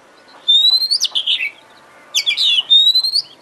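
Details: Oriental magpie-robin (kacer) singing in a lure recording intended to excite a kacer into song: two phrases, each a clear rising whistle followed by a rapid run of loud chattering notes sliding downward.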